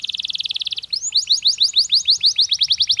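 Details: Canary singing naturally, offered to prepare birds for the mating season: a quick buzzy trill followed by a steady run of bright, rapid descending whistled notes.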